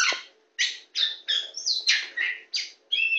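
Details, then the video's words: Very tame Oriental magpie-robin of the poci type, a champion bird, singing while perched on a hand: a string of short, varied, bright whistled and chirpy phrases, roughly two per second with brief pauses, some notes rising and sliding. "kacer poci jawara super jinak"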